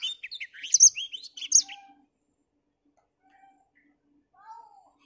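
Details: A black-throated finch on an overcast morning sings a brief, rapid jumble of high chirps and whistled notes, followed by quiet with a few faint, thin, lower whistles.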